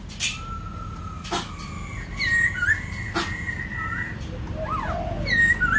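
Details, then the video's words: White-crested laughingthrush singing at Kbang: long, steady whistled notes broken by slurred upward and downward inflections and a quick rising-falling flourish, with several sharp clicks and a constant low rumble beneath. "Khướu Đầu Bạc / Kbang / Bông Lau /Chim Bồ Chao /Hót Đỉnh Cao"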